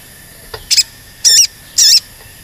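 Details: Crimson Sunbird calling, a lure to rouse other birds into singing and agitation: three loud, high, wavering, buzzy-edged notes, each about a quarter-second long, spaced by roughly half-second gaps.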